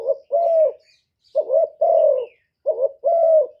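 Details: Decoy Spotted dove cooing in a contest with a wild bird: three deep two-part phrases, each a short wavering note then a longer level coo, repeated about every 1.3 seconds, with a quiet background.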